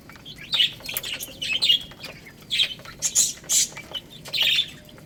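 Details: Chicks feeding on rice, calling with shrill repeated peeps roughly every half second, bright and piercing, while light pecking ticks continue underneath.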